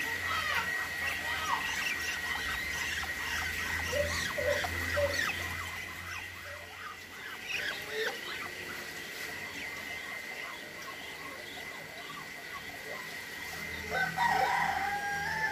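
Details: Farmed Muscovy ducks in Indonesia give rapid, harsh squawking calls, several birds overlapping over a steady high whine.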